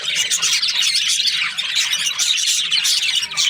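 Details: Australian parrot budgies in steady chirping chatter, many overlapping high warbles, clicks and squeaks forming an unbroken, busy twittering with brief brighter peaks every second or so.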